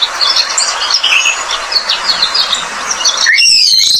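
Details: Australian pipit, described as a pest bird with a sweet song, delivering a fast jumble of high chirps and twitters, ending in a louder, clearer rising whistled phrase near the close.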